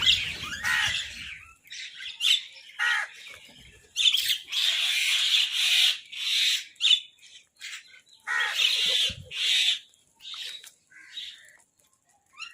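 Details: Crows fighting over food give harsh, raspy squawks in rapid, uneven bursts with short pauses, several overlapping at times, and some wing flaps and scuffling between calls.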